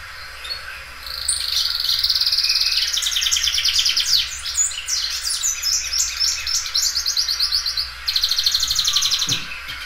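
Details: Belgian canary, a loud singer that stretches and repeats its song, pours out a long sustained high trill flowing into rapid rolled and buzzy phrases, a brief break, then another bright rolling trill.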